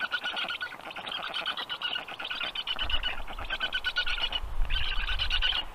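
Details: Rasping, rattling chatter from black stork chicks in quick repeated bursts, with a low rumble rising in the second half and forest sounds in the background.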